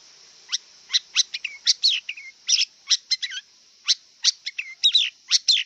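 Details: Wild long-tailed shrike giving a busy, varied song of quick sharp notes mixed with short whistled slurs, delivered in a continuous scratchy stream against a steady high background hiss.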